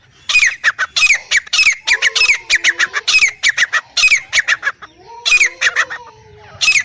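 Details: Male and female black francolin (Irani teetar) giving loud, rasping, squawky calls in rapid irregular series, with lower smooth slurred tones sounding beneath some of the bursts.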